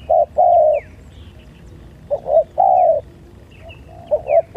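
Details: Fighting spotted dove giving low, steady coos. A short note is followed by a long drawn note, then broken, wavering notes and another long coo, with faint high chirps from other birds in the background.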